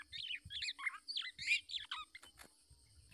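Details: Black-naped oriole, a parent defending its young from an attacking male trying to take the chick, gives a two-second burst of rapid, harsh, squeaky chirps twisting in pitch, then a few sharp clicks and a faint low rumble.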